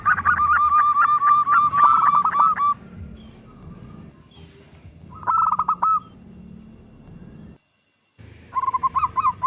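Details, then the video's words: Local zebra dove singing actively in the perkutut bekur kerot style, used as a lure to get other doves singing: fast pulsed runs of cooing notes near one pitch, a pause, then another burst, over low background rumble. "perkutut lokal gacor bekur kerot manggung"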